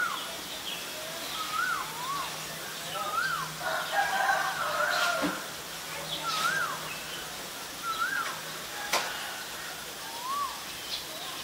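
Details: Ashy Drongo (Dicrurus leucophaeus), a common resident and winter visitor, at Ubon Ratchathani, Thailand, on 11 April 2022, gives clear arched whistles that rise then fall every second or two, with a brief harsher burst, sharp clicks and faint higher chirps behind.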